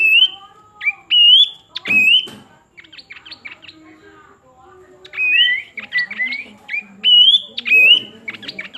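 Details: Pin-striped tit-babbler song: clear whistled notes rising and wavering, given in short varied phrases with brief pauses, mixed with sharper chattering notes and some low softer sounds in the background.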